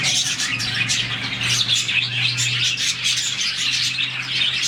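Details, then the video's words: Around 40 budgerigars kept as a colony chirp happily in the morning, producing a thick wash of high, rapid tweets and warbles that never stops, over a steady low electrical hum. "Lovebirds, budgies, parakeets morning chirping sound"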